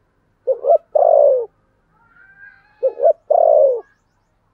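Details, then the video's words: Spotted dove kept as a decoy to lure birds, singing in the 'giọng thổ' voice style. Two mellow cooing phrases, each a quick stuttered double note followed by a longer drawn-out coo that slides downward. A faint thin whistle sounds between the phrases. "Chim Cu Mồi giọng THỔ"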